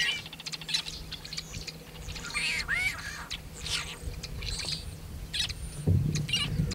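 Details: Singing and calling male tricolored blackbird near Kern National Wildlife Refuge, California, 26 February 2003: rough nasal notes and a drawn-out buzzy, warbling phrase near the middle, with low hum and rumble beneath.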